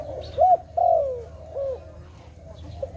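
A dove gives soft, low hooting coos, a short note and then a longer falling one, with a faint low background hum.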